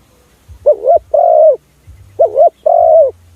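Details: Spotted dove lure call for drawing in other doves: paired cooing phrases, each a short wavering note followed by a longer, steady, slightly falling coo, repeated twice in quiet surroundings with faint low rumble.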